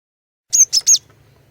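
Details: Female cinereous tit used as a lure to get males singing: one quick burst of three high, sharp whistled notes, then quiet with a faint low hum.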